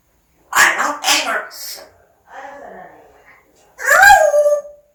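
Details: Pet parrot mimicking speech: two quick breathy syllables, a quieter murmured stretch, then a loud bright syllable with falling harmonics near the end.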